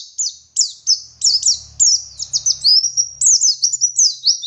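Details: Local dakun Oriental white-eye from Garut, West Java, in full ngalas song with wit wit and ngeriwik: a dense stream of high, sweet, warbling slurs and quick chirps, nearly unbroken, over a faint low hum.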